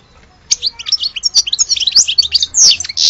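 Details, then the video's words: European goldfinch described as the true goldfinch of Alge: after half a second of quiet, a dense, fast run of high liquid twitters and tinkling notes, ending in a brief rushing burst. "Le vrai chardoneret de Alge"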